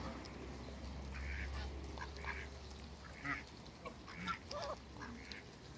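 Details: A pair of Muscovy ducks kept as backyard waterbirds, flying in the air; short soft breathy calls scattered through the recording over a steady low hum.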